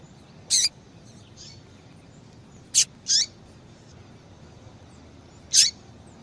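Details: Female yellow-bellied seedeater calling a lot to stimulate males to sing: four short, sharp, high chip notes spaced irregularly over quiet background hiss.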